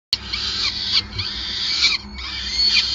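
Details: Peregrine falcon at a Gasunie nest site in Groningen on 5 May 2020, during a long feeding session: harsh, broadband screeching calls running almost without pause, with brief breaks near one and two seconds.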